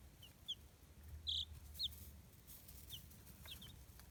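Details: Free-range farm chicks in Kitahiroshima, Hiroshima Prefecture, Japan, reared in a self-built brooder box, peep in quick high chirps, one louder call standing out, over faint background hum.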